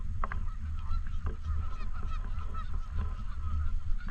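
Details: Canada geese at a park lake, loud separate honks near the start and around one second, followed by a busy run of overlapping nasal calls over a deep rumbling background.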